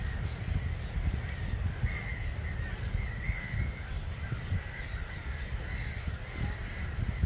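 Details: Starlings, about 250,000 strong, streaming off their roost at 05:45 one March morning, Gibraltar Point NNR, heard from a hide. Banded chattering over a heavy, gusty low rumble of wind or wingbeats.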